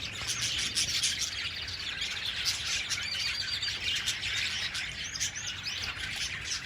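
Budgerigars chatter steadily with bright, overlapping chirps and warbles, several birds calling at once.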